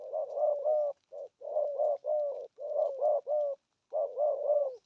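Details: Urging 'gù thúc' coos from a spotted dove in the 'thổ âm' tone style: dense, rolling, hollow phrases run almost continuously, with only brief gaps between groups.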